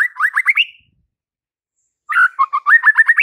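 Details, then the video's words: White-rumped shama, a persistently singing male used to provoke fighter males: a burst of quick upward-sweeping whistles ending on a trailing note, then, after a silent gap, a new phrase of buzzy notes leading into rapid rising sweeps. "MURAI BATU FIGHTER akan TERPANCING EMOSI NYA dengan Murai Batu GACOR INI"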